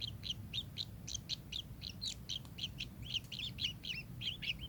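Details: Kingfisher calling with quick, scratchy, high chirps in an uneven rhythm, sometimes paired, becoming more twisted and slurred toward the end over low background rumble.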